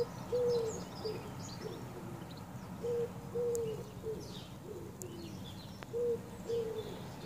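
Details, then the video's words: Common wood pigeon calling at sunrise: soft, low hooting coos in small groups of two or three, with pauses between phrases, over light background noise and scattered high chirps from other birds. "Can you hear the wood pigeon?"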